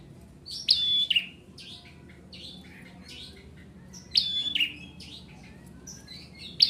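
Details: Bar-winged prinia, known locally as ciblek merah, singing actively: sharp high whistled notes with quick downslurred chirps, in bursts near the start, around four seconds and at the end, with softer chirping between over a quiet background.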